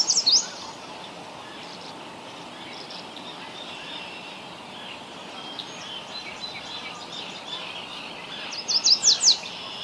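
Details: Short high, sweet song bursts from a yellow warbler in Ontario, Canada: a clipped phrase at the very start and another run of rapid chirps near the end, separated by a long stretch of quiet outdoor hiss.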